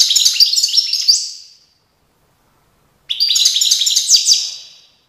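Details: Goldfinch song recorded in Tiaret in 2019, two rapid phrases of jangling, liquid twitters and trills, each about a second and a half long, separated by a pause of roughly one and a half seconds.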